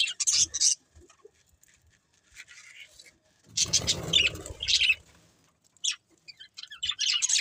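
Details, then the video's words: Budgerigar chirps come in short bursts of high, quick twittering, separated by quiet gaps, with a low rumbling sound in the middle. "Budgies Chirping Sounds"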